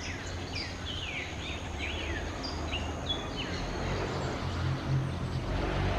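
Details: A Brotogeris parakeet hanging upside down gives a quick run of shrill, downward-sweeping chirps, several per second through the first half, then falls quiet against a steady low hum.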